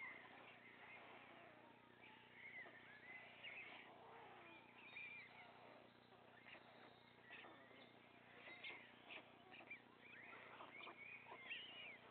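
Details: White stork chicks, the three remaining young on the nest, beg with hoarse, wheezing, mewing calls in uneven bursts while the father feeds them; faint background hiss.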